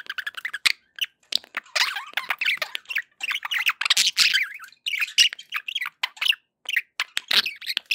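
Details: Pet budgerigars chattering, played to keep other pet birds company: dense, rapid warbling and squawking notes in quick bursts with short gaps, some rising and falling whistled phrases, several birds calling over one another indoors.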